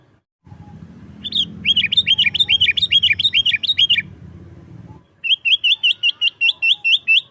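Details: Sooty-headed bulbul in lively 'gacor' song, used to lure wild bulbuls and tutor caged ones: a fast run of about eleven hooked, sharply falling chirps, a pause, then a second run, over a low background hum.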